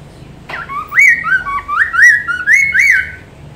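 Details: Hwamei (poksay mandarin) song, used as a master recording to train other songbirds: loud, clear whistled phrases, about five slurred notes rising and falling in a quick series after a sharp opening click, over a faint low hum.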